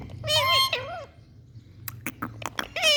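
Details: Indian parrot repeating "Mithu": two loud, bent, harmonic syllables at the start, then a quiet pause, then sharp clicks and a final rising nasal syllable over a soft low hum.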